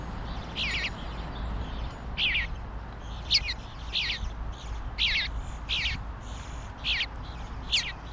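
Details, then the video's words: Young bluebird fledgling begging for food, giving harsh, scratchy squawks roughly once a second, about nine in all, each a brief rasping burst over a steady low background hum. "Funny bluebird fledgling demanding food when he's knee deep in it!"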